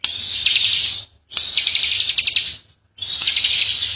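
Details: Ciblek, or bar-winged prinia, a young bird giving a tight, insistent 'ngebren' song. Three harsh, high buzzing bursts of about a second each are broken by short pauses.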